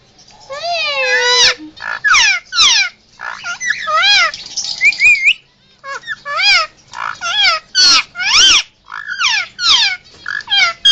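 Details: Pet male Indian ringneck parakeet making emergency sounds: harsh, rapidly rising and falling squawks with wavering tones, given in bursts with short pauses, loud and close.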